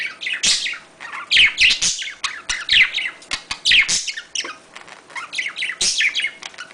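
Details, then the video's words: Budgerigar courtship and mating warble from caged pets; rapid mix of sharp chirps, squeaky whistles and rasping buzzes, delivered in uneven surging bursts without pause. "muhabbet kuşu kızıştırma sesi / muhabbet kuşu sesi / muhabbet kuşu çiftleşme sesi"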